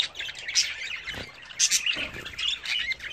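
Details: Bathing budgerigars raised as a home hobby produce brief high squeaky chirps and scratchy warbling in quick succession, with a soft low thump.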